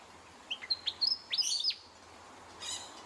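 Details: Willie wagtail calling in the morning among Australian birds: a quick series of bright, high chirps and sharp whistled notes over about a second, followed by a fainter buzzy note, with a low steady hum beneath.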